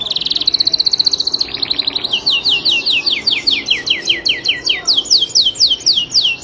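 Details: Canary tutor song, long and full of fill phrases: a rapid buzzy trill, then a steady series of high sweeping whistled notes repeated about four times a second.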